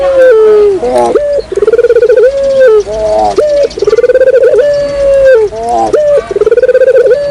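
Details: Barbary dove lure coos come in quick succession, each a pulsing trill followed by a level held tone, with the phrases repeating closely.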